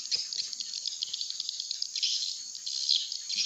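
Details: Call played to lure swiftlets toward a swiftlet house: a thick, high chorus of fast, overlapping chirps that keeps going without a break and swells slightly near the end.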